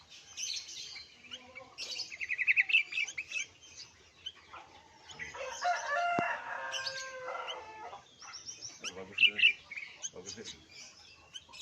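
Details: Sooty-headed bulbul feeding its young; bursts of high, sharp chirps and twittering, loudest early and near the end, with a man talking in the middle.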